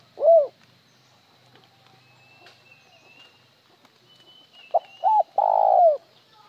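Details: Spotted dove giving cooing phrases, sung alternately with a trailing note (một hậu) or plain (trơn): one short hollow coo, a long pause with faint whistles, then two short coos and a long coo that falls away at the end.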